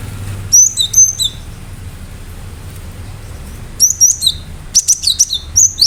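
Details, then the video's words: Cinereous tit in energetic song with sharp notes: a burst of high, clipped whistles pairing a piercing note with a lower one, a pause of over two seconds, then a faster run of repeated phrases. "Gelatik batu gacor"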